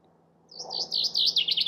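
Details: Chaffinch beginning its song with a fast series of high chipping notes that grow steadily louder, cut off mid-phrase. A soft low murmur is in the background.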